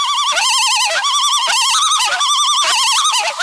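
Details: Nesting loon with mate and chick, last day on the nest, possibly reacting to a nearby intruder; continuous loud quavering calls in repeated wavering bursts roughly every half second throughout.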